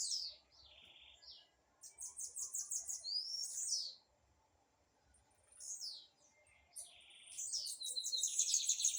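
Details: Blue-black grassquit in a dispute, singing separate bursts of high, rapid, buzzy notes with rising slurs, broken by silent gaps, and a long dense chatter toward the end.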